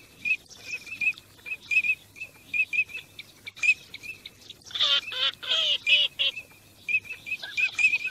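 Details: Migrating teal whistle in short, evenly spaced notes, broken midway by a loud series of four or five nasal, grating calls, then whistling again.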